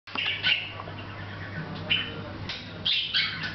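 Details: Hahn's macaw, a pet bird chatting quietly to itself without noticing the camera, recorded August 10th 2012; scratchy, buzzy bursts of chatter around half a second and two seconds, then a denser harsh run near the end over a steady low hum.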